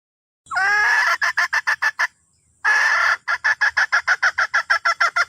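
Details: Red junglefowl hen calling to a rooster: a drawn-out, harmonic, wavering opening note breaks into a fast series of sharp, clucking pulses about three per second. A short pause follows, then the rhythmic pulses resume, loud and close.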